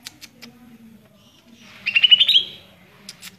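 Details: Greater green leafbird (cucak ijo) song: a short, rapid buzzy twittering burst of high notes lasting about half a second, set against faint background chatter and clicks.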